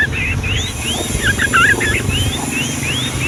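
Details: Yellow-vented bulbul song in the long-rolling 'Ngombak Banyu' style, played to tutor young birds: short bubbly rising and falling whistled phrases in quick succession over a steady low rumble of engine-like noise.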